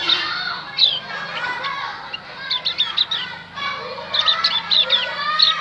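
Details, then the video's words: Javan grey-throated white-eye song played to lure wild birds into replying: bursts of high, bright chirps and quick slurred whistles separated by brief pauses, with a faint murmur underneath. "opior Jawa pasti nyaut pancing dengan Opior Jawa ini"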